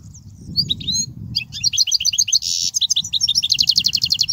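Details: European goldfinch song for teaching chicks: lively high twitter building into rapid repeated notes, a short buzzy burst, then a fast regular trill, over a soft low hum.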